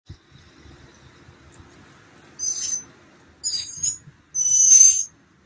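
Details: Mockingbird chicks almost ready to fly, on day 15 of a nest project, 28 March 2022: three short, harsh, hissing rasps, each about half a second, growing louder, over a faint low rumble.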